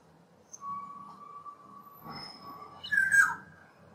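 Black-naped oriole: a long, even whistled tone, a brief harsher burst, then a short, loud, fluty note that rises and falls.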